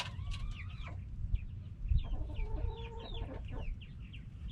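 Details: Backyard hens and roosters are noisy: lower, drawn-out nasal notes sound near the start and middle, while softer high peeps continue between them over a low rumble.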